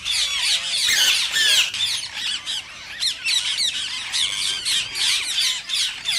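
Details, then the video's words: Rapid harsh shrieks from rose-ringed parakeets, a sound claimed to stimulate mating in other parakeets hearing it. Short sharp notes repeat about three times a second in an almost unbroken, scratchy stream. "صوت ببغاء الدرة الخضراء"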